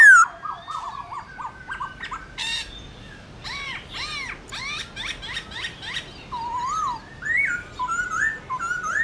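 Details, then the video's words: Black-throated laughingthrush, a caged bird trained to sing wild-style morning song; mixed whistled and harsh chattering notes, bursts of rapid clipped calls, then softer looping whistles near the end. "Khướu bạc má hót đấu giọng rừng buổi sáng"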